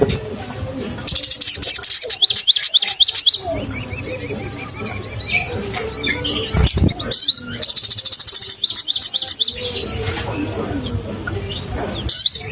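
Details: Lively crimson sunbird singing hard, a lure recording meant to rouse caged birds: long stretches of very high, fast, rattling trills and chattering chips that rise and fall, broken by short gaps and a few sharp knocks.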